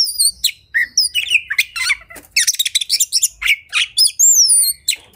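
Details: Oriental magpie-robin singing aggressively while highly agitated, a fighting song said to make other magpie-robins fan their tails; strident high whistled glides alternate with buzzy rattles and harsh churring notes in rapid bursts.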